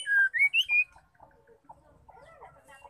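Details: Female white-rumped shama song used to rouse male shamas: four loud rising whistled notes, then soft low murmuring notes.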